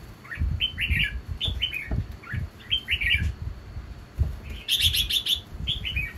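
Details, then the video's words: Caged male Red-whiskered Bulbul, described as very big-bellied and singing often; loud phrases of quick whistled and chirped notes in repeated bursts, a brighter high rattling burst near the end, with low knocking and handling noises throughout. "Chào Mào Hót Choé Rất Hay"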